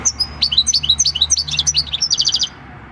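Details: European goldfinch, wild-caught and six years old, singing field-style song on 26 December 2019: quick liquid twitters and slurred chirps ending in a fast even trill of repeated notes.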